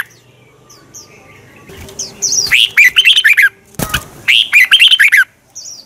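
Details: Red-whiskered bulbul lure song in a twisting voice, for morning training and provoking rivals to sing. Two rapid phrases of warbling, bright chirps are split by a sharp thump, with low hum and faint high notes.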